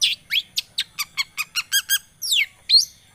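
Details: Long-tailed shrike (cendet) song played as a lure to make a silent bird start singing: a quick series of short, evenly spaced chirps that grow steadily louder, bracketed by two louder, buzzy down-slurred notes.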